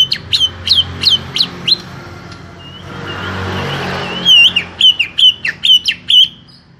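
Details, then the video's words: Caged greater green leafbird with a small body, song being trained in Indonesia: rapid series of sharp high downslurred chips, a quieter soft warble, then a run of loud whistled notes repeated about twice a second. "Setting Cucak Hijau Body Kecil"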